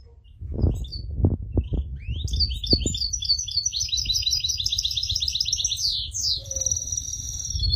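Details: European goldfinch singing in an aviary: a few low knocks at first, then a bright, rapid twittering of high tinkling notes and buzzy trills running for several seconds.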